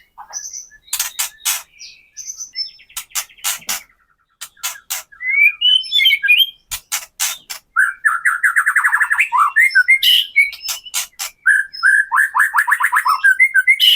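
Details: White-rumped shama, murai batu, in crackling kretekan song used to provoke other birds to sing: sharp broadband clicks open the phrase, then rapid buzzy runs of trilled notes and brief high whistles, almost continuous.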